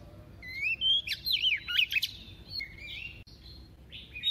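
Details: Female white-rumped shama, kept as a decoy, singing a double-voiced song to excite males: rising whistle, then tumbling rapid notes and chips, followed by lower, drawn-out whistled phrases.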